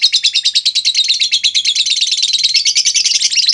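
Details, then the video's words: {'caption': "Lovebird lure: a long 'ngekek' chatter of fast, high, rattling notes, about three a second, steady and loud throughout, meant to draw responses from other lovebirds."} "Pancingan Burung Lovebird Ngetik Bikin Lovebird Lain Ngekek Panjang!"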